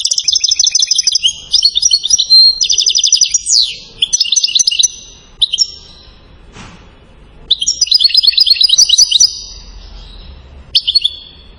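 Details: Goldfinch from Settat, Morocco, singing salasiyat chains: several separate phrases of rapid tinkling twitters, one descending slurred note, then quieter spells and a final bright chattering run.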